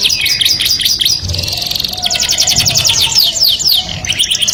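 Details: A canary's melodious song, said to attract the opposite sex, with quick chirpy notes giving way to a sustained fast trill of evenly repeated high notes.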